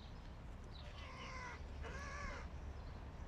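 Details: Crow father feeding his fluffy fledgling son; two drawn-out, nasal, harmonic calls, the second longer and slightly falling, over a steady low rumble of urban background noise.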